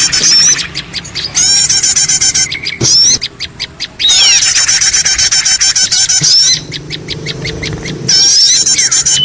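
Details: Noisy lure for small birds: rapid, busy chirping and squeaking in long bursts, with a stretch of quick separate ticks between them and a faint low hum.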